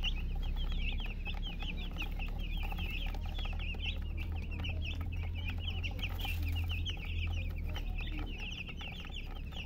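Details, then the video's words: A group of chicks peeping without pause, bright rapid chirps tumbling over one another for the whole stretch, about three or four per second, with a constant low hum beneath. "MURGI Baby "Chicks Chirping" Sound"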